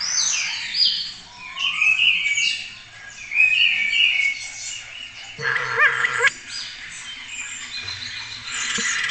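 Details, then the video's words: Varied song of a spotless starling at a webcam in Cabañeros National Park, Spain: descending and level whistles, scratchy phrases and a wavering warbled note, interspersed with soft rustling. "Impresionante concierto de estornino negro"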